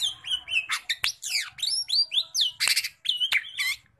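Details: A kept Medan-type Sumatran leafbird pours out a fast, varied song of slurred whistles, sharp rising and falling sweeps and chattering bursts. The song is packed with mimicked notes from its repertoire and has no pauses.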